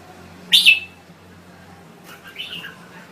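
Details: Thai red-whiskered bulbul giving one bright, loud whistled phrase that drops in pitch, then a softer, warbled phrase about two seconds later over a quiet hum.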